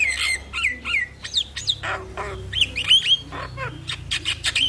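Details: Morning starling song played to train birds to sing: clear slurred whistles alternating with rasping, noisy bursts and quick down-swept chirps, delivered in a lively, uneven sequence with no pauses longer than half a second.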